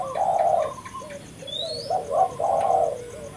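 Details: Lure call of a spotted dove: full, hollow coos in two phrases around a softer middle section, with a high rising whistle from another bird and steady background hiss.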